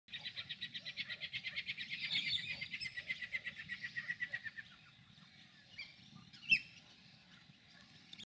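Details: Galah chick in Australia begging while its parent feeds it: fast, rhythmic run of rasping, pulsing notes, about four per second, for over four seconds, then quiet with a few scattered chirps and one sharp click.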